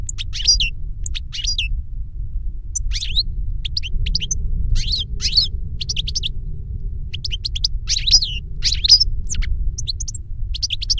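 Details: Older goldfinch singing as a lesson for a younger goldfinch: continuous high chattering and sliding notes throughout, over constant low hum.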